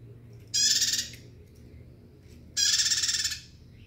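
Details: A bar-winged prinia sings energetically, giving two buzzy, fast-pulsed phrases roughly two seconds apart, the second slightly longer, against a quiet low hum.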